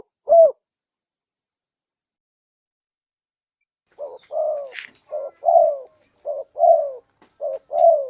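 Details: Wild spotted dove calling for use as a lure: one short isolated coo, then after a pause a run of about seven low, husky coos alternating short and longer descending notes, with nothing else audible.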